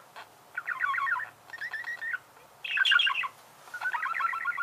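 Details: Budgerigar chirping in four bouts of quick, squeaky twittering, the third louder and higher, with short pauses between.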